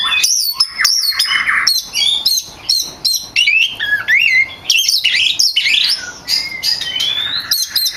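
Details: Champion kacer, the oriental magpie-robin, singing for songbird training: fast, loud run of looping whistles, abrupt high notes and buzzy phrases, delivered almost continuously.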